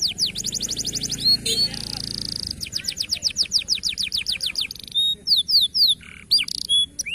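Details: Local canary kept as a songbird, song used for training other birds to sing: rapid trills of fast repeated high descending notes, buzzy rattles and sharp whistled sweeps, lively and continuous with brief pauses.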